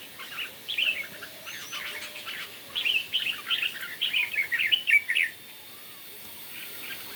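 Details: Red-whiskered bulbul singing in a morning song contest: scattered notes, then a loud run of rapid, rich chattering phrases for about three seconds, followed by near quiet with faint distant notes.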